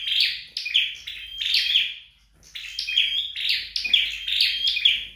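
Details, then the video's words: Red-headed flowerpecker singing at home in training: clustered, rasping high phrases with short whistled notes, a brief lull, then denser repeated phrases. "Dợt Sâu Đầu Đỏ Tại Nhà"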